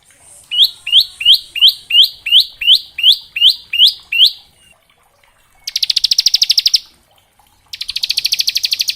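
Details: Bar-winged prinia song in the varied buzzy ngebren style, used as a training recording for semi-adult and young prinias. A dozen rising, slurred high notes come evenly spaced, then two dense buzzy rattling bursts follow after a pause.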